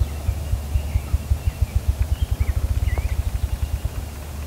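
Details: Wild ruffed grouse, heard but unseen, drumming with deep muffled thumps that start slow and speed up into a rapid roll. Thin whistled bird chirps sound faintly above it.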